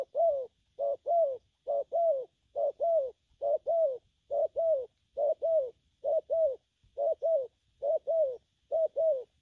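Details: Young spotted dove cooing in gù phóng and lăn săn style: a long, very regular run of about twelve doubled low coos, each pair two quick arched notes, spaced roughly a second apart, with a faint background hum.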